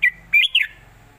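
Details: Red-whiskered bulbul voicing a traditional southern-style master song for training birds: three clear whistled notes, a short falling first note followed by two longer rising-then-falling slurs.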